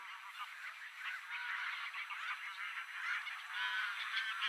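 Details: Mediterranean gulls at Polders Poelgeest, the Netherlands, on 23 March 2024, keep up a dense, overlapping chorus of nasal, yelping calls, about two a second, with many birds calling at once.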